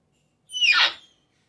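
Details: Pet grey parrot giving a single short squeak indoors: a sharp tonal onset sliding into a harsh, breathy burst lasting about half a second, with silence before and after.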